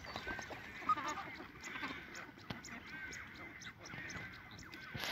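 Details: A Chilean flamingo flock at WWT Slimbridge in March 2020, engaged in lots of courtship display, gives a steady chorus of overlapping nasal, goose-like honks and gabbling calls with no clear pauses.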